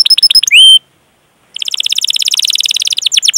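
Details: Canary singing a rolling 'cuit cuit' song to prompt young, untrained or silent canaries: quick high chips and a rising drawn-out whistle, a short silence, then a buzzy rapid roll.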